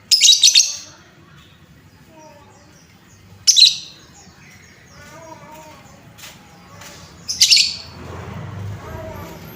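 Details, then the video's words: Lovebird lure call to stir up other lovebirds: a rapid stuttering cluster of shrill notes, then two further harsh high squawks several seconds apart, with soft chatter and room noise between. "Suara pancingan lovebird Bahan, menaikan emosi lovebird"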